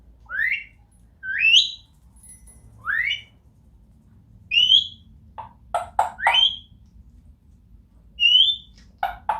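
A Grey Parrot gives loud rising whistles, sliding upward about every second or two, mixed with short harsh clicks and squawks.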